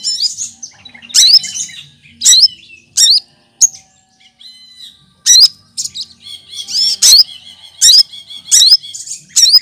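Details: Leafbird, locally cucak kinoy, with a varied mimicking song. Squeaky chirps, upslurred whistles and sharp ticks come in irregular bursts, with a short lull midway before a busier, denser run.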